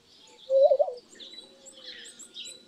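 Laughing Dove giving a soft, low, bubbling coo of a few quick notes, over faint high chirps of other birds in the background.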